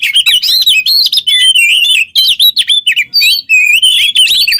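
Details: Caged Oriental magpie-robin (kacer) singing nonstop for use as a tutor for other songbirds: dense run of loud whistled slurs, rising and falling notes and scratchy chatter, phrases strung together almost without gaps.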